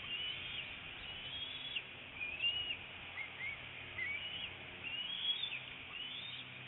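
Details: Bald eagle mother feeding her eaglet a freshly brought fish at a northeast Florida nest, late February 2018, mid-morning: a series of high, piping whistles, some rising and some dropping, about eight notes over steady hiss.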